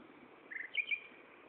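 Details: Common nightingale song phrase, Gaasperzoom, 16 May 2012 at 15:30: a brief grating note leading into two quick bright whistled chips over steady low hiss.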